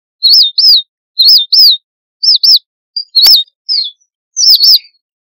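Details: Flock call of the red munia: crisp, high, rising-then-falling chirps in twos, about four pairs, with a couple of short single notes mixed in.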